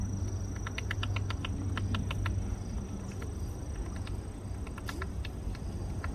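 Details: Woodpecker in a park drilling holes in a tree for insect larvae, giving rapid bursts of sharp dry taps in short irregular runs, with a constant low rumble underneath and a brief spoken exclamation at the end.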